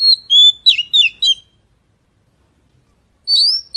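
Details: Oriental magpie-robin singing clear, high whistled notes, some sliding downward, in a quick phrase of about six notes, then a pause before a rising whistle starts again.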